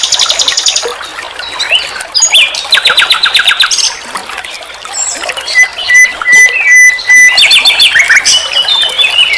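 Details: Nightingale singing on a training master for songbirds. Fast ringing trills alternate with buzzy bursts, then a series of long, pure, level whistles, followed by rapid chattering rattles.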